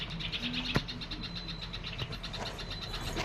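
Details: Baby birds waiting for their mother to feed them, giving rapid, high, thin cheeps repeated steadily throughout, with a sharp click and a low background hum.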